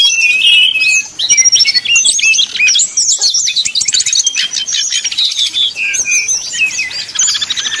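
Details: Rival-provoking 'nyuling' song of a brown-chested jungle flycatcher. Dense, fast high whistles, twitters and short buzzy trills pour out with hardly a gap, briefly dipping lower near the start.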